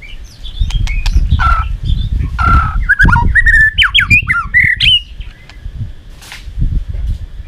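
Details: A white-rumped shama sings its combative fighting song, meant to stir up wild-caught birds: harsh rasping notes mixed with clear whistled swoops and quick upward flicks, over heavy low bumping noise.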